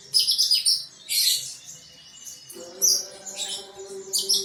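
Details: A caged female sunbird, known as kolibri, sings vigorously and is ready for a singing contest. She gives bursts of very high, sharp, twittering chirps separated by short pauses, over a low steady hum.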